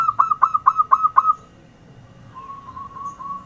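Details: Zebra dove lure sound: six loud, clipped, ringing notes in quick succession, then a pause and a softer run of level, rapidly repeated coos in the background.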